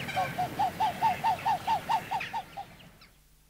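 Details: A pair of Upland geese, race leucoptera, in display close to the recorder: about eleven clipped, arched, nasal notes in quick regular series, strongest in the middle and fading away at the end into near silence.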